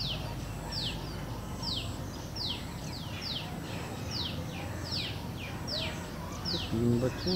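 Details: Four newly hatched black White-breasted Waterhen chicks in Delhi give thin, high, downslurred chirps about every second while following their mother near a flower bed and foraging in dry leaves, over low rumble with a brief human voice.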